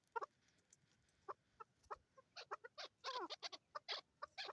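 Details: Chukar partridges, male and female, recorded in Swat, Pakistan, in 2022: a string of sharp, harmonic clucking notes. They begin sparse, then quicken into a dense burst of chuk notes, some with rising-falling inflections.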